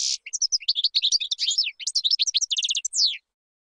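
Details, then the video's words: A European goldfinch's song for teaching chicks opens with a buzzy rasp, then runs into quick, bright twittering notes and a final downward slurred whistle. "تغريد طائر الحسون بدون أخطاء لتعليم الفراخTweeting goldfinch to teach chicks goldfinch"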